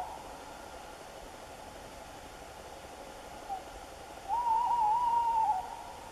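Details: Tawny owl giving a wavering, tremulous hoot about a second long near the end, after quiet hiss and a faint earlier note.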